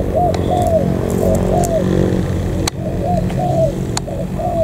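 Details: Newly wild-caught spotted dove from the An Giang border gate area, Vietnam: low, soft coos in short phrases, each a rising then falling note, repeated about every half second, over a strong low rumble.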